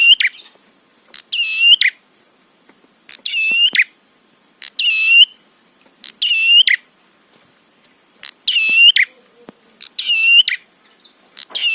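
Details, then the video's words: Prinia in a trapi tutor track intended to provoke other prinias: a long run of about nine buzzy, click-edged nasal phrases, evenly spaced roughly every 1.4 seconds, against near silence. "Masteran Suara Trapi Prenjak PANCINGAN EMOSI BIKIN BUNYI"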